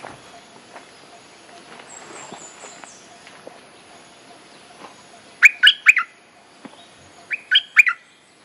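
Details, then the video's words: Bulbul mate-calling song used as a lure for training young birds: after a quiet stretch, two short clusters of bright, quick chirping notes, the second a couple of seconds after the first, over faint background hiss. "เพลงเรียกคู่ หัดลูกเสอ Suara pikat merbah lekir gacor"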